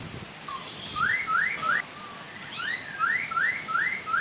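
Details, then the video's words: Chinese hwamei, male and female, singing so that other hwamei join in; soft waterfall behind. Quick series of upward-sweeping whistled notes, about three per second, in two runs. "Suara air terjun dan burung poksay hongkong"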